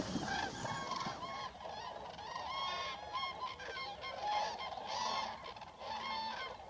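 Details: Many Common Cranes at a French wintering site on a winter day before daybreak, re-establishing contact with family and neighbours: loud rolling trumpeting calls overlapping in a continuous chorus with no pauses.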